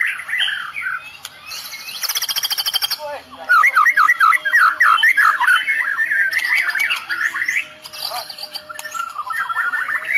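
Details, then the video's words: White-rumped shama of the Medan type singing 'tembakan' phrases filled with cililin-style mimicry: rapid buzzy rattling bursts, then a dense run of sharp whistled notes sweeping up and down, varied and loud, ending in softer warbling. "Tembakan murai medan full cililin"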